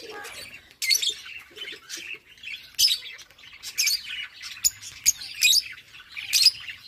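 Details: Lovebirds mating: a string of piercing high squawks and clipped chirps, each burst loud and abrupt and coming every half second to second, with softer twitters between and no other sounds.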